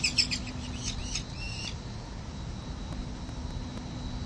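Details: Peregrine falcons at a 367 Collins St. nest ledge, 17 November 2024, on a nest camera, as parents coax a pre-fledging chick to fly. A short burst of harsh, chattering calls with a curved whistled note ends early, leaving a low urban drone.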